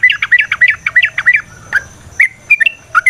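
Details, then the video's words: Yellow-vented bulbul singing a combative, rapid chatter used as a lure to stir other bulbuls: quick run of warbling whistled notes close together, then scattered sharper notes with short gaps. "Suara Burung TRUCUKAN gacor TARUNG ROPEL PANJANG pancingan trucukan agar JADI trucuk gacor EMOSI"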